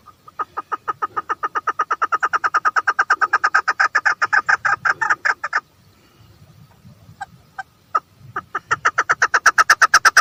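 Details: Female chukar partridge giving a fast run of repeated harsh chuck notes for over five seconds, a pause with a few isolated notes, then the rapid series starting again.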